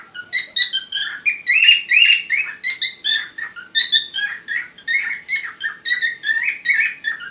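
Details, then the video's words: Courting parrot giving a continuous warbling chatter, quick bursts of whistled and buzzy notes about once a second, with no other sounds. "Любовь попугаев"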